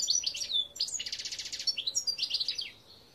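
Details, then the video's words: Goldfinch song recorded in 2021: tinkling twitters lead into a dense, rapid buzzy trill, followed by more bright chirping notes and a thin falling whistle at the end. "Chant Chardonneret"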